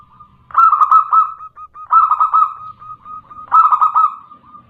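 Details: Female local zebra dove calling a male, used as a lure recording: three loud, burry cooing phrases, each a rolling stutter that trails into a softer sustained purr, spaced roughly every one and a half seconds.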